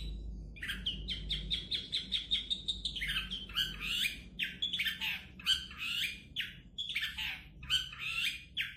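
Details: Long-tailed shrike, prized by bird keepers for its voice, singing a varied, rapid medley of scratchy chatters, squawks and clear warbled notes, running almost continuously, with low hum in the background.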